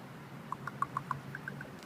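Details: Two ravens up in a tree talking to each other with strange sounds: about eight brief, clear clicking notes in a fast, slightly uneven sequence, the later ones softer, with faint background hum.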